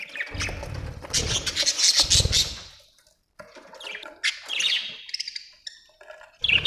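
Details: Budgerigar chirping: scratchy, squawky chirps in dense bursts with some low thumping, a short silence midway, then warbled chatter resuming and a loud burst at the end.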